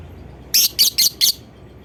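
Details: Four loud, harsh, high-pitched lovebird shrieks in quick succession within under a second, a bait call intended to make other lovebirds respond and sing, with faint low background hum.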